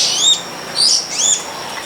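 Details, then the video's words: Long-tailed shrike (cendet pilis) in the wild, giving three high, arched whistled notes spaced about half a second apart over a faint background hiss. "Pesona Burung Cendet di alam"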